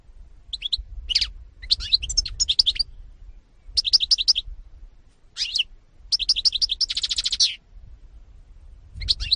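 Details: A European goldfinch (Carduelis carduelis) in a 2018 recording delivers repeated twittering phrases of quick high chirps, one phrase ending in a long buzzy rattle, with steady short pauses between bursts.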